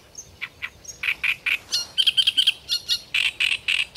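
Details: Loud great reed warbler song. Grating, churring notes come in quick succession, several times a second, with a run of tight raspy chirps, then slower, evenly spaced harsh croaks.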